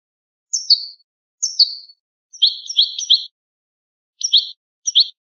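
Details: European goldfinch song from an old, rare recording of the original song: clean, separate groups of bright twittering and buzzy notes with short pauses between them, and no other sounds.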